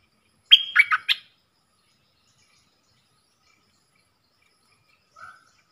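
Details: Caged dok taeng bulbul answering wild birds in a song duel, 3 October 2021: one brief burst of three or four sharp, bubbling notes, then silence and a faint low whistle near the end.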